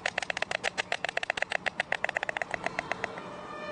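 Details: White storks at the nest in Vetschau at 11:45 am, sounding alarm around feeding: a rapid, dry wooden clattering of sharp evenly spaced knocks, about four per second, running steadily for over three seconds before stopping.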